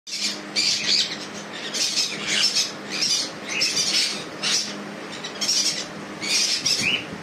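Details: Hand-tamed sun conures give harsh, grating screeches in quick bursts, roughly one or two each second, over a faint low indoor hum.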